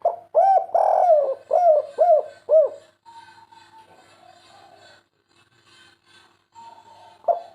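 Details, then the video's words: Caged spotted dove cooing in the three-note 'kuk 3' style used to train cage birds: a run of round, arched coos close together, then a near-silent pause with faint background sounds, and one more coo at the end. "masteran burung derkuku kuk 3 full nembak merdu 100%"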